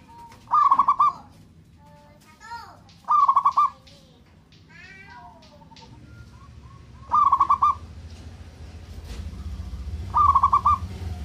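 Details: Local male zebra dove provoking a rival's aggression and mating urge: four separate bursts of rapid stuttering coos, each a short beaded trill, with sweeping whistled notes from other birds between them and a rising low rumbling background.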